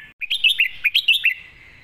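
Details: Competition red-whiskered bulbul singing a 'master song': a rapid burst of around seven loud, clear whistled notes that dip and rebound, ending in a soft fading trill.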